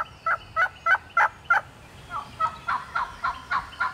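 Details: A lone wild turkey hen in Georgia woods yelps in a quick run of raspy notes, about three a second, then breaks into sharper cutting notes, answering a human caller; she may already be nesting.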